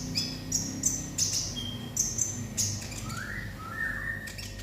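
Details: Olive-backed sunbird in "konslet" song: a run of sharp, very high chirps at an even pace, then quieter rising whistled notes near the end, with a constant low background hum.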